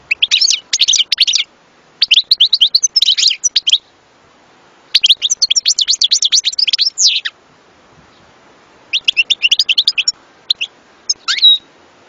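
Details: European goldfinch pouring out long bursts of fast, tinkling twitter lasting a second or two each, with short pauses and a final rising slurred whistle.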